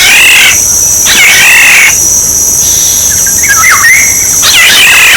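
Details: Black-naped oriole, played as a bird-luring decoy sound: rich, fluty whistles with a wavy, rolling contour, given in short phrases separated by pauses, over a steady high-pitched electronic whine.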